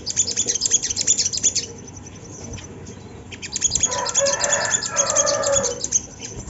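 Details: Sunda laughingthrush singing to lure other birds into song: fast bursts of sharp, high chirps repeated in quick runs, a brief pause, then more chirping over a lower rushing, fluttering noise near the end.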